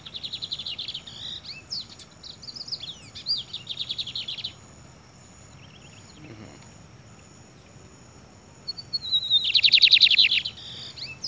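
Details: Free-flying Lined Seedeater singing from a man's head: a chattering buzzy trill with sweeping notes, then a quiet gap with faint chirps. A thin whistle introduces a loud, dense buzzy trill near the end. Background hum throughout.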